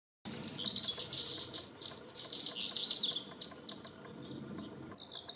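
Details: Eurasian crag martin at Penha Garcia, Portugal, giving rapid, high, thin chirps and short twittering notes in quick succession, with soft fluttering sounds and a buzzy higher note near the end.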